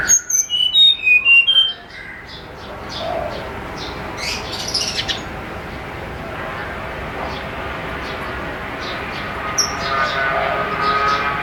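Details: A snowy-browed flycatcher's flute-like morning song, used as a lure, opens with a quick descending run of high thin whistles, then fades into hiss with scattered faint chirps and another brief high note later.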